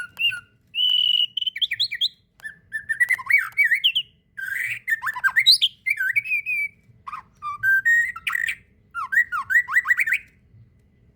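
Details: Fighter-style white-rumped shama (murai batu) song for masteran training: fast, varied bursts of whistles, rapid slurred trills and harsh squawky notes, phrases coming in quick succession with short gaps.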